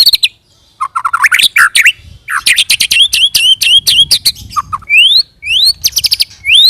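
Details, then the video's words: White-rumped shama rolling song used as a lure so other shamas answer: quick rising whistles, rapid chattering bursts of sharp notes, then several long upward-sweeping whistles near the end. "pancing murai dengan roll tembak ini murai batu manapun akan respon bunyi ngerol"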